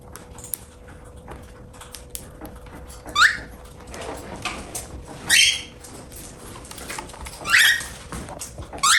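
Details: Pet cockatiels while eating: several brief, rising harsh squawks spaced a couple of seconds apart, over steady crunching, pecking and clicking feeding noises indoors.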